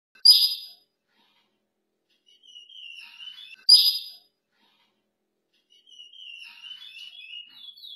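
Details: Chestnut-bellied seed finch in a breeding pair: two sharp, harsh bursts about three seconds apart, each followed by a soft, high twittering warble.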